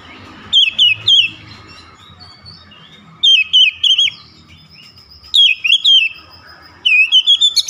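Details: Oriental magpie-robin delivering fierce 'tembakan' bursts with its beak open wide. Four quick clusters of bright, looping whistled notes, high and piercing, come in rapid sets of three to five, with soft background rumble between.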